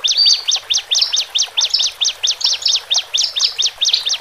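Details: Horsfield's bush lark, male and female, singing to ease newly separated birds into cage life: sharp downslurred chirps repeated about twice a second in an even series, with faint higher whistles between.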